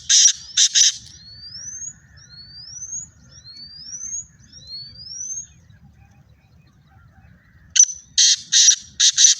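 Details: Black francolin in Pakistani fields, Sindhi type, giving harsh, scratchy, rhythmic bursts at the start and end, separated by a run of thin, rising whistled notes repeated about once a second.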